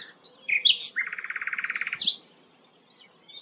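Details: Flycatcher known as sikatan londo, heard singing actively. A few sharp high notes lead into a rapid buzzy trill of about twenty pulses lasting roughly a second, followed by a bright chirp and quiet faint twitters.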